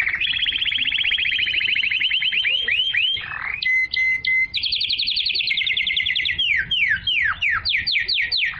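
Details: Pure canary song used to stimulate females to mate and to teach chicks: a long rapid trill, a short burst of flat pure whistles, more trilling, then widely spaced downward-sweeping notes.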